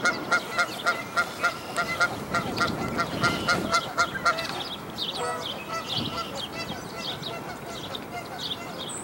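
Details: Canada goose at a dead-tree nest while newborn goslings jump out after their mother: rapid regular honks at first, fading into scattered calls with chirping birds and faint rustling.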